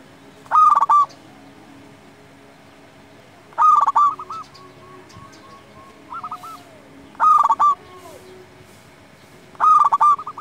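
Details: Local zebra dove song, used as a master recording to get quiet or rival doves singing: short bursts of rapid, stuttering cooing notes about every three seconds, with faint softer notes between bursts and a steady low background hum.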